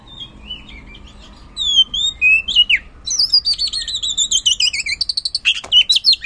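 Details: Oriental magpie-robin song used as a lure for kacer that sing little: varied swooping whistles, then a fast run of repeated downslurred notes about three per second, loud and clear.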